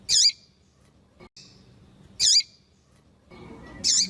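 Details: Calling to stimulate males, a female double-collared seedeater gives loud, high, hooked squeaks roughly every two seconds, with quiet gaps and faint murmuring noise between.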